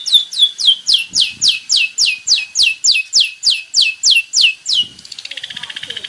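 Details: Long-tailed shrike, a male singing bird in lively, varied song; about thirteen loud, high, downward-sweeping whistled notes in a fast regular series, followed by a rapid buzzy trill.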